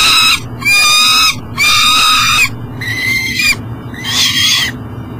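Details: Near a Mississippi River flyway in Elk River, Minnesota, a peregrine falcon carrying food struggles to enter its nest box at 7am. It gives three loud, drawn-out harmonic wails, then softer calling fades into the background.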